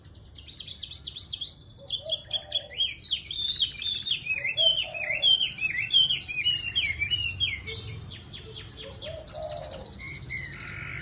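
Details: Tame Chinese hwamei, praised for a fine singing voice, delivering a rich, varied song: quick chattering notes, then a run of loud looping slurred whistles repeated about every half second, ending in buzzy rattles and softer whistles.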